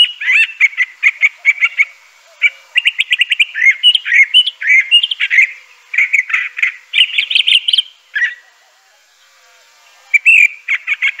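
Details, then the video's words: Long, continuous crissal thrasher (Toxostoma crissale) song: a rich medley of quick repeated notes, trills and warbles running for about eight seconds, a pause, then a new phrase begins. "Crissal Thrasher bird song.(Toxostoma crissale)."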